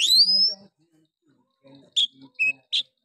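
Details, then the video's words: Oriental magpie-robin song meant to rouse other males: a long loud upward-sweeping whistle followed by three short clipped high notes. "Pancingan Kacer malas bunyi. bangkitkan emosi Kacer lain"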